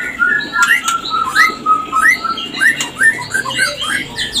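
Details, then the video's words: Captive white-rumped shama (murai batu) song played to bring on breeding condition: rapid series of short upslurred whistles repeated roughly twice a second over a steady noisy background with clicks. "SUARA TOP menaikan Birahi LANGSUNG KAWIN"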